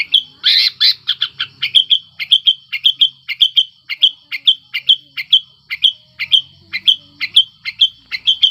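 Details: Sooty-headed bulbul in breeding condition, a lure to make silent birds sing: loud opening notes, then an even series of short whistled chirps, about two per second, sustained throughout.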